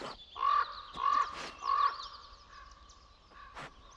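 Common ravens giving hoarse, repeated croaking calls about every half second, advertising food at a carcass.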